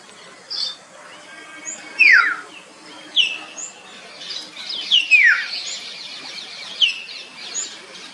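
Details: Common hill myna calls: sharp descending whistled notes repeated every second or so, mixed with softer higher chirps and faint hiss in the background.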